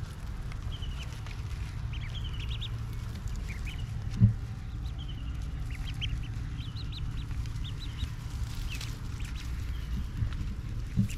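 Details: Young ducklings feeding on grass, pecking with tiny beaks; scattered faint high peeps come in small clusters throughout, laid over heavy low background rumble, with a single sharp knock partway through.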